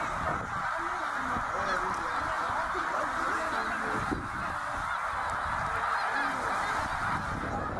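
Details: Snow goose flock during the 2023 northbound migration at Middle Creek, Pennsylvania, with tens of thousands of birds; constant chorus of high nasal honks blending into a steady din, a few lower individual calls showing through.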